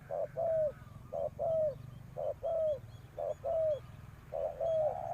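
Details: Spotted dove serving as a decoy to call wild birds, giving about five short-then-long coo pairs; the longer notes slide gently downward, repeated roughly once a second.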